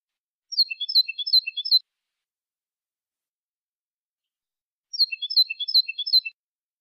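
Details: Copia malaga strophes from a European goldfinch, used for teaching chicks to sing. The same jingling phrase of quick high and lower notes, about 1.3 seconds long, is given twice with a silent gap of roughly three seconds.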